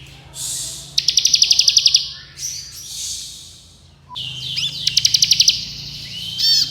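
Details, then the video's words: Song of a crystal bar-winged prinia, fast and close-packed with variation, meant as tutor material for champion songbirds: rattling bursts of high, evenly spaced ticks, a brief hissing buzz, then a second rapid trill. "Ciblek Kristal Ngebren Nembak Variasi Speed Rapat Cocok Untuk Masteran Burung Juara"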